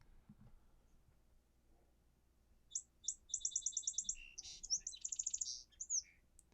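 A song sparrow sings two clear, high opening notes, then a quick rattling trill and a jumbled, buzzy ramble to finish. The background is quiet.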